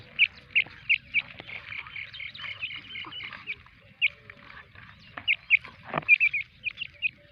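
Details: Pair of black francolins with chicks four days old: thin, high peeps come in quick bursts with pauses between, some in rapid runs, one louder sharp crack near the end, over quiet low rumble.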